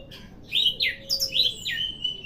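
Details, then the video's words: Caged orange-headed thrush with a leg ring, kept as a songbird, singing a run of loud, sweet whistled phrases that swoop downward, four or five notes in quick succession with a faint steady hum beneath. "Tambah Hari tambah gacor 😂😁🤣😍 || Anis Merah"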